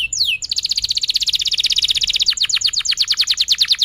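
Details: Canary singing at length as a lure for young canaries learning sounds and for canaries that have stopped singing: one falling sweep, then a long steady rapid trill that loosens into separate notes toward the end.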